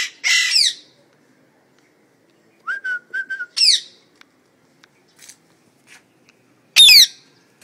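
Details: Home-kept parrots said to talk: an opening raspy squawk, then a soft level whistle broken into short clicks, another harsh call, faint chatter, and a last loud sweeping screech.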